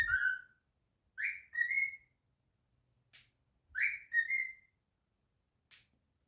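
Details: Pet cockatiel, a male, singing and whistling indoors: clear, harmonic-rich whistled notes that rise and slide, in short two-part phrases repeated roughly every two and a half seconds, with soft clicks between them.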